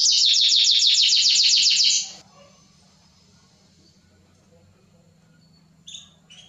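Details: Mosaic canary singing for mating and teaching chicks: a fast, bright trill for about two seconds stops abruptly, followed by near silence and a couple of brief chirps at the end.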